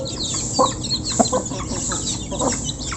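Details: Local chickens feeding as a flock, recorded close; a few short clucks stand out against a dense rustling, hissy background.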